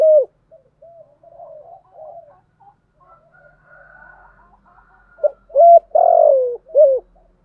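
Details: Spotted dove used as a lure to provoke wild doves. Several seconds of faint, low murmuring coos, then one loud phrase: clipped coos, a long falling vibrating coo and a short final note.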